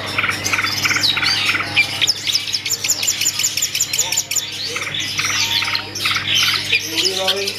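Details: Privately owned long-tailed shrike performing its song: a dense, fast run of high, varied chirps, trills and sharp notes packed almost without pause, with short bursts of slurred whistles and a steady low hum beneath.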